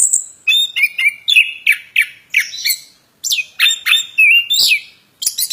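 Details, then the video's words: Plontang bird in energetic song, delivering rapid bursts of sharp chirps and slurred, buzzy notes at a quick pace, broken by a brief pause midway before the chattering resumes. "Burung Plontang suara mantab Gacorr"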